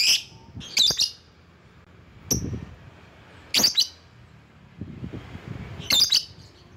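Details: Lovebird calling to rivals: a few harsh, raspy shrieks and one thin chip separated by pauses of a second or more, with low thumps between them.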